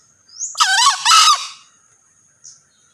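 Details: Male green junglefowl crowing once: a harsh, two-part squealing call. A short rising note leads into two loud, strained bursts of about half a second each, with a thin high whine running through the background.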